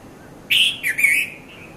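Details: Red-vented bulbul, the Konda Kurulla of Sri Lanka, heard at Mount Lavinia around 5:30–5:40 a.m. in 2018 on a Nikon Coolpix P510: a bright three-part phrase of clear chirpy notes, the last drawn out and slightly falling.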